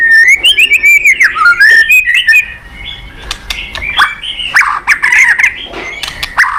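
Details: White-rumped shama pouring out fast, loud chattering whistles at first, then lower, scratchy varied notes and sharp clicks.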